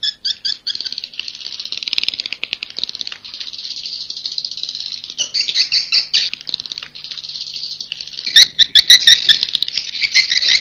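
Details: Swiftlet roosting call in the 'Inap Ababil' style: a dense, buzzy high chatter running almost continuously, broken by short clicking bursts, with a louder burst of sharp chirps near the end.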